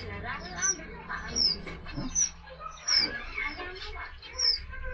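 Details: Red avadavat, also called red munia or strawberry finch, giving thin, high squeaky notes about once a second, with softer twittering and background noise.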